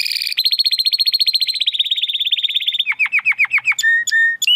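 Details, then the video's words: Belgian canary in estralando song: a fast rolling trill that gradually slows into drooping notes, followed by short clear whistles. "CANÁRIO BELGA CANTANDO ESTRALANDO !"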